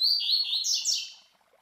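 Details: Double-collared Seedeater (Coleiro), a captive master bird whose classic Tui Tui Zel Zel song teaches young birds; whistled notes gliding downward, then two fast descending sweeps trailing off within about a second.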